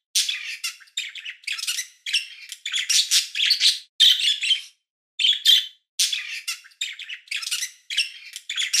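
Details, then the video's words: Chickadee giving a dense run of harsh, buzzy chirps in rapid clusters, with one brief gap near the middle, high and scratchy throughout. "Hear the Most Relaxing Chickadee Chirp You'll Ever Hear!"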